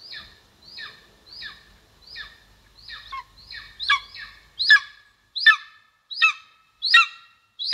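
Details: Golden eagle at its nest in Estonia, recorded by a live nest camera in 2022: a run of about ten sharp, down-slurred yelping notes, roughly one every 0.7 seconds, growing louder and harsher toward the end.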